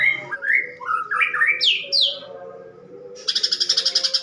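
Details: Greater green leafbird, a caged songbird in fighting mode with a harsh voice, singing sparrow imitations: loud whistled notes sliding up and down over two seconds, a quiet pause, then a rapid run of buzzy, pulsed chatter.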